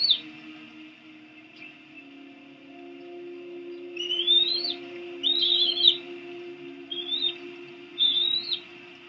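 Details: Tiny bald eagle chicks at the Washington DC nest, tasting rodent in 2017, give thin, high squealing chirps in four short bursts over the last five seconds, above a steady low electrical hum.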